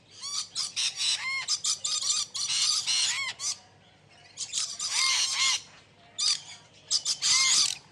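Budgerigars chatter in fast bursts of scratchy squawks mixed with bright, arching whistled chirps, pausing briefly between runs of calls.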